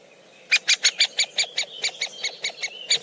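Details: Woodpeckers feeding at close range; a rapid series of sharp, bright chip notes, about a dozen in under three seconds, evenly spaced and slightly slowing, with a faint thin whistle running beneath.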